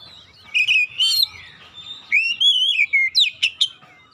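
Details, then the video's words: Oriental magpie-robin (kacer) song, played as therapy to get a silent bird singing: loud, clear whistled phrases, slurred notes rising and falling, then rapid sharp upward sweeps near the end, with quiet gaps between bursts. "TERAPI MEMPERCEPAT KACER BISU MACET BUNYI LANGSUNG GACOR"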